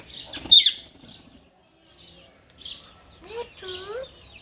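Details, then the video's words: Parrot talking, uttering clipped speech-like phrases with gliding, voice-like tones, opening with a loud harsh squawk and ending in rising and falling talk-like syllables mixed with soft chirps. "Parrot Talking"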